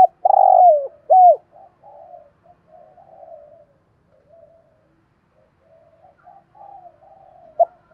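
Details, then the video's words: Spotted dove calling, recorded for listening and for training decoy birds to call back; two loud coos open the clip, followed by soft, low murmuring coos and a brief coo near the end, in a quiet setting. "chim cu gáy giọng hay, mở nghe giải trí, dùng tập mồi gáy theo"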